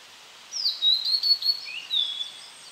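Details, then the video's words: A Blue-and-white flycatcher sings a clear, high, sweet phrase of slurred whistles lasting about a second and a half, ending in a drawn-out falling note, over faint background hiss. "オオルリ / Blue-and-White Flycatcher"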